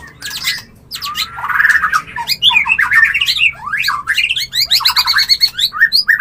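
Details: Mating call of a white-rumped shama, used to trigger breeding readiness; a rich, fast medley of whistled slurs, harsh squawks and quick repeated notes, loud and almost unbroken.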